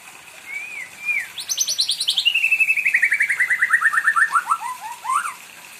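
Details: A kept white-rumped shama, said to sing on and on wanting company: two soft whistles, then a long rapid trill of evenly repeated notes that falls gradually in pitch, ending with a few upswept whistles.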